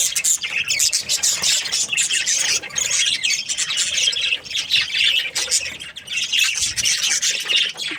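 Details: A group of happy Australian budgies in breeding season fills the air with steady, high-pitched chattering, a busy blend of chirrups, trills and raspy squawks with short lulls.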